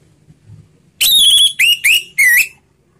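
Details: Orange-headed thrush singing in the slow ngeplong style used as a lure for silent birds: a short burst of four loud whistled notes, the first long and level, the rest dipping and rising.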